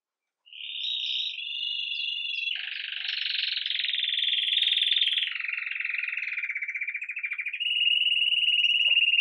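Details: After a brief silence, a red agate mosaic Belgian canary, starting the day lively, pours out a long, unbroken rolling Campainha song recorded live, shifting between higher and lower buzzy tones for nearly nine seconds.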